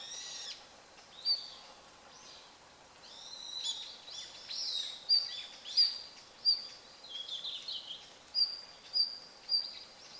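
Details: In winter (24 November), a red-flanked bluetail gives its ground calls: thin, high, short notes repeated irregularly about every second, with softer twittering between them over quiet background hiss.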